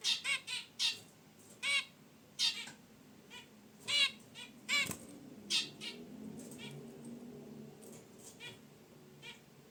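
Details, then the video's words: Caged zebra finches relaxing beside their wicker basket nest produce loud nasal honks about once per second, then softer scattered chirps, with a single sharp knock and faint rustling. "Zebra Finches in Their Cage: Natural Chirps & Sounds"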